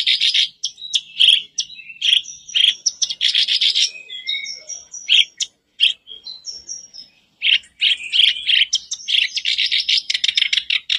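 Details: Long sooty-headed bulbul song meant to spur a caged bird to sing: loud chattering bursts alternate with thin high whistled slurs, with brief pauses between sections.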